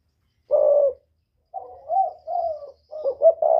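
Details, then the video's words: Whistle-voiced spotted dove of northern Vietnam style, a lure for wild doves, starting with a steady even coo, then a soft wavering series of notes rising and falling, ending in a stuttered hoot into a long coo. "Tiếng chim cu gáy miền bắc kích bổi mới nhất, cu gáy giọng còi"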